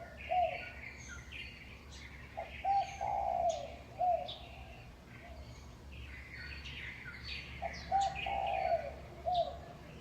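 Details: Pre-dawn to dawn birdsong at about 5:25 am in May 2019 from utility poles in Huanan New Village, Taipei, Taiwan: gentle low coos in brief groups, with frequent sharp chirps and twitters higher up.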